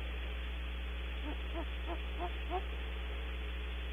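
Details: A Great Horned Owl at Starr Ranch, California, calls as the female and then the male leave a nest cavity: a quick series of five soft, low hoots over about a second and a half, above a steady low hum.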